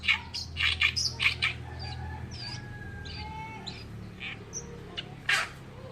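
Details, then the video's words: Loud, rasping bursts of Oriental reed warbler song open the recording in quick succession, followed by thinner scattered notes and one more harsh note near the end. Low hum underneath. "BURUNG MASTERAN KERAKBASI ALIS PUTIH ( Oriental Reed Warbler )"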